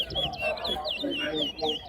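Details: Towa towa singing in a competition at Lusignan bird ground: quick, bright, warbling whistled phrases with rising and falling slurred notes, delivered in a rapid run, over a murmur of people talking nearby.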